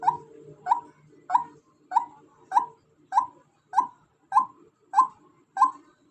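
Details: Female white-breasted waterhen calling: a steady series of short, hoarse notes around one pitch, repeated roughly every 0.6 seconds, ten in a row, with a faint low hum underneath.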